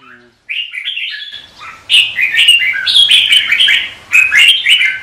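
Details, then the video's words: Red-whiskered bulbul singing competitively in the morning: bright warbled phrases with rising and falling whistled notes, delivered in quick bursts after a short silence, several phrases overlapping. "Chào mào Luyện hót đấu mỗi sáng 30' - Căng lửa hót hay"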